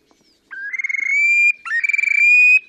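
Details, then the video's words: Terek sandpiper displaying on 30 April 2019 at Lipovaya Gora near Verkhnee Sheikino on the Pra, Oka Nature Reserve, Russia: two loud phrases, each a short upslurred note, then a fast rattling trill that smooths into a steady, slightly rising whistle. "Мородунка Xenus cinereus, токовые крики / Terek sandpiper song"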